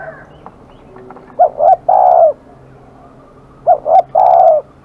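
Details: Fierce spotted dove cooing: two three-note phrases, each with two short hollow coos and then a longer drawn-out coo, separated by a pause of about two seconds. A faint low hum sits underneath.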